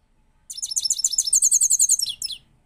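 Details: Goldfinch, said to be a powerful singer and newly acquired, sings a loud burst of rapid, very high twittering trills, about fifteen quick notes in a row, ending with two sliding chirps.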